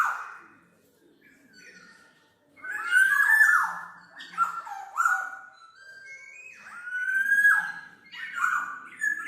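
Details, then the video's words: Black-naped oriole song, used as a lure and tutor recording for birds: rich, fluty whistled phrases with slurred downward and upward notes, loud and clear after a quieter opening. "SUARA BURUNG KEPODANG MAS, untuk masteran/pikat"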